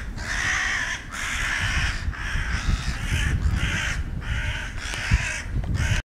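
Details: Several hooded crows attacking a long-tailed (Ural) owl in the Main Botanical Garden, Moscow, on 28 February 2011; harsh, raspy caws repeated about once a second, overlapping, over steady low outdoor rumble.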